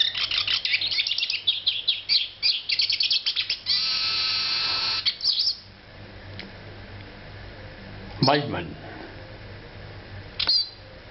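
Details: Eurasian siskin (Spinus spinus), song.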